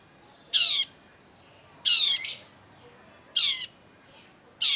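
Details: Long-tailed shrike (cendet) lure recording for birds that have stopped singing: loud, grating, buzzy squawks, each under half a second, repeated about every one and a half seconds with quiet gaps between.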